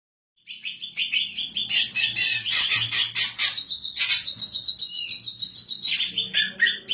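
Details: Female greater green leafbird, said to sing well and suited for training other birds and as a lure; a rapid run of bright chirps, then a long dense buzzy trill, closing with repeated sharp notes about twice a second.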